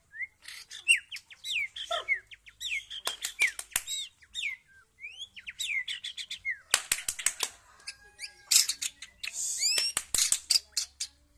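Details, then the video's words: Rich, varied song of a white-rumped shama: rapid mix of slurred whistles, upward-sweeping notes and dense chattering bursts, delivered in quick succession with several sharp clicks between phrases. "Murai batu f4 pastol"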